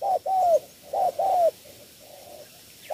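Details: Spotted dove from Cà Mau, Vietnam, giving its three-note cooing style: mellow, hollow coos in two close pairs, a short note then a longer slightly falling one, with fainter drawn-out coos trailing behind and quiet background.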